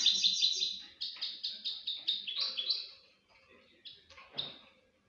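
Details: Pet crossbill singing during mating: rapid high chirping notes in a steady string, slowing after three seconds into a few scattered short chips, with faint low background sounds.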